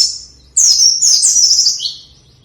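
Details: White-eye, for training reluctant singers, giving one continuous high, rapid warbling phrase of tumbling slurred notes that drops to a lower, drawn-out note at the end.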